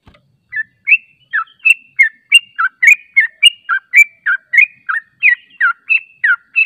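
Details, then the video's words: Lure call of the yellow-vented bulbul used to make birds reply: after a brief pause, a steady run of bright, gurgling two-part notes repeated roughly three times a second. "PANCINGAN TRUCUK JANGAN Di Ragukan Langsung Nyaut"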